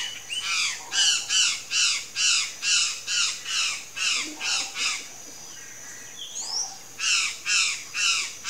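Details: Palm tanager (Thraupis palmarum) song: a series of harsh, squeaky, slurred notes, about two to three per second, pausing briefly before resuming.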